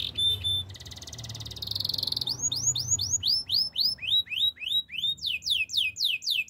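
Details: Master canary song for training: a buzzy rolling trill builds, then gives way to a long series of loud arched whistled notes repeated about three times per second, ending in quicker paired notes.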